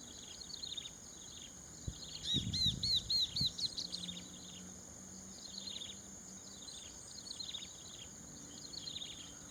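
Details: Chestnut-capped babblers in Thai rice fields, Prachuap Khiri Khan, 2025. Faint, scattered high chips lead into a burst of five or six clear, high, down-slurred whistles. Quieter notes trail after, over a constant high insect hum and low rumble.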